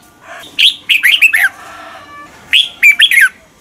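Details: Red-whiskered bulbul giving a morning song used to train caged birds: two phrases of quick, rich, falling whistles, with a soft, steady tonal sound between them.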